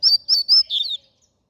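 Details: Double-collared seedeater in a fast, clean phrase of four loud high whistles, the last one dropping slightly in pitch and lengthening, followed by silence.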